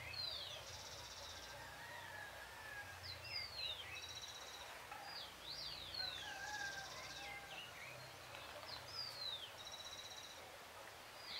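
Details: Great thrush singing on a full moon night at 6:26 PM in June, a varied run of slurred, sliding whistled phrases, some falling and some rising, with high thin notes overlapping and steady low hum beneath.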